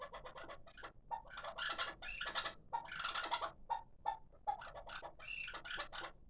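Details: Quick volleys of chucking notes, some rasping and some with a clearer tone, delivered by a six-month-old hybrid kabk partridge raised as a calling bird.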